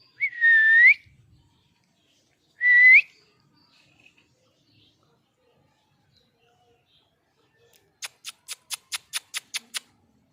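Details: Angry parrot giving two short whistled calls that dip and rise, then a long silence before a rapid, evenly spaced run of about ten dry clicks.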